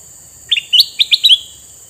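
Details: Red-eyed male sooty-headed bulbul, used as a lure for wild birds, delivers one rapid bubbly phrase of about six quick chirping notes, bright and liquid, against a constant high-pitched hiss.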